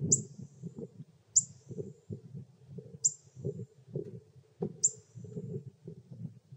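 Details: Begging sounds from Pyrrhuloxia chicks fed by their father in Terlingua, Texas, in summer: piercing thin chips spaced one to two seconds apart, over a steady low rumble and muffled thumps.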